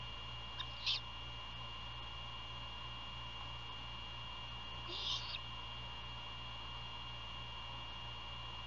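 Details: Nocturnal feeding at a great horned owl nest near Savannah, Georgia, 27 February 2022, captured by nest camera; two brief hoarse, noisy screeches roughly four seconds apart over continuous electrical hum.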